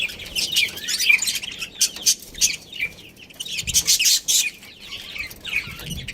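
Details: Chirping from a budgerigar breeding pair: dense, busy chatter of high, scratchy warbles and quick chirps, rising and falling in loudness, almost continuous throughout.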